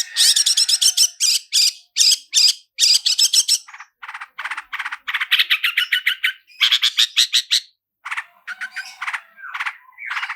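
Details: Lure song of a long-tailed shrike, roll speed and roll tembak styles with full fill-ins, recorded clean: fast harsh rattling bursts of rapidly repeated high notes, then lower chattering trills and short gaps.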